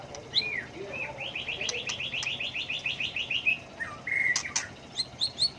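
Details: White-rumped shama singing a varied song with many voices and constant changes, used to provoke birds into song contests: a whistled slur, then a fast run of about fourteen repeated rising notes, then scattered high whistles and clicks.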